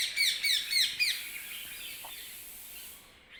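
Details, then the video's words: Early-morning bird chirping: a fast run of four bright, sharply descending high chirps in the first second, then a fading hiss of background noise with a faint note near the end. "Early morning # Birds # chirping"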